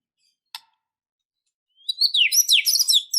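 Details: Fighting, emotional white-rumped shama song: one sharp click, a pause, then a rapid tumbling run of high, slurred twittering notes.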